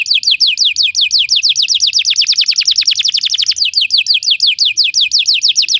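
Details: Belgian canary song for teaching other canaries to sing: steady series of bright downward-sweeping notes, quickening into a fast rattling burst midway, then returning to the slower sweeps.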